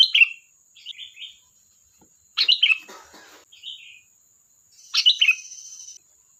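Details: Sooty-headed bulbul singing busily: sharp, bright chirped phrases alternate with softer, lower warbled notes, three loud bursts in a few seconds, with a faint constant high whine behind.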